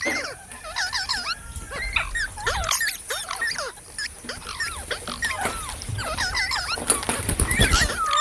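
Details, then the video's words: From a parrot talking compilation, a dense stream of quick looping chirps and warbled whistles, many rising then falling, delivered in clustered runs with brief gaps and some low background rumble. "Parrot Sounds"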